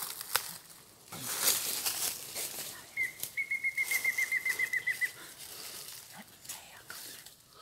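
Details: Mayan antthrush on the Yucatan in March 2019: one clear whistled note, then a quick run of about a dozen short whistled notes at even spacing, drifting slightly lower over two seconds, with rustling and handling noise around.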